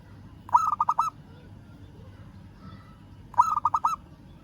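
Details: Two matching phrases about three seconds apart from a local zebra dove calling a rival, each a quick rolling string of five or six short coos, with low hum between.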